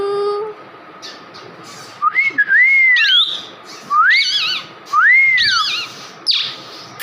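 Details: A tame, talking 2-year-old male pet plum-headed parakeet (Psittacula cyanocephala) whistles: three long arched whistles, each rising then falling, with shorter wavering high notes between them over a faint steady hum.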